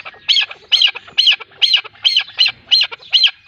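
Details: Female of a chukar partridge pair calling: clear, sharp, slightly rasping notes given in an even series, eight in under four seconds, with a faint hum beneath.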